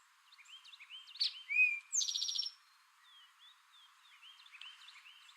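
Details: Eastern towhee, male, gives a single loud 'drink your tea' phrase: a brief sharp note, then a short whistle, then a bright, rapid trill lasting about half a second. Faint chirps from other birds come before and after.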